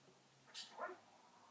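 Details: An 11-month-old male Eclectus parrot, a pet being coaxed to talk about animal sounds, gives two quick vocal bursts: a sharp, high hiss-like note, then a lower, throaty, word-like sound, in a quiet room.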